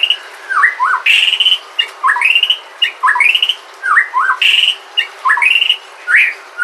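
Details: White-rumped shama from Sumatra singing a lure song meant to prompt other shamas to sing: rich whistled phrases with rising and falling slurs, repeated in quick bursts roughly every second, some notes sweeping sharply upward.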